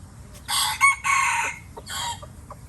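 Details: Red junglefowl from Laos crowing loudly: a short harsh burst, a brief accented note, then a sustained buzzy phrase and a softer trailing syllable, followed by a few faint clicks.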